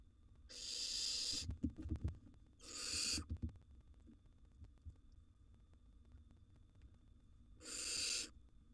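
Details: Wild young barn owls in a monitored nest box, siblings competing for food: three long, harsh, hissing screeches of about a second each, with soft shuffling and thumps between them.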